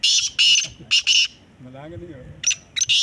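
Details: Black francolin calling in a competition: loud scratchy multi-note phrase, a short spoken remark in between, then more harsh rasping notes.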